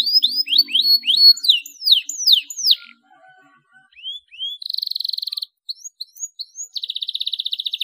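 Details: Canary in full song, used to prompt young birds to sing: a string of downward-sweeping whistled notes, a brief quiet gap, then rising whistles and two buzzy steady trills.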